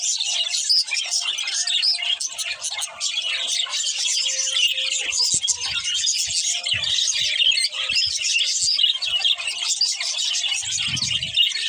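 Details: Budgerigar breeding pair giving dense, continuous high warbling chatter, scratchy chirps and squeaks layered without pause, with a few soft low thumps near the end.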